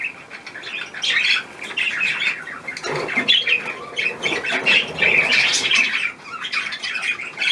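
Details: Several pet budgerigars gathered at a leftover apple, giving busy warbling chatter with scratchy squawks and chirps, rising and falling in bursts, with a soft flutter of wings.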